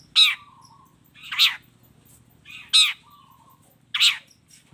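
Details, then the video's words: Long-tailed shrike in full song with combined fill phrases. Four coarse, scratchy bursts are spaced over about four seconds, some followed by a drawn-out lower tone. "suara kicau cendet gacor FULL KOMBINASI ISIAN AMPUH"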